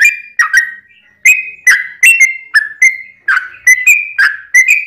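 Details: Yellow-vented bulbul's long song, used to encourage other bulbuls to sing: gurgling, liquid whistles rising and falling, given in short groups with a brief gap near the start.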